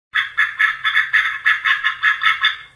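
A mallard gives a quick, even run of about eleven harsh, nasal quacks, roughly four a second, with nothing else heard.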